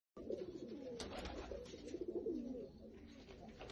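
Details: Lotan tumbler pigeon, a domestic tumbling breed, cooing indoors in a small room: low, rolling, wavering coos repeated through the clip, with faint clatter and rustling behind.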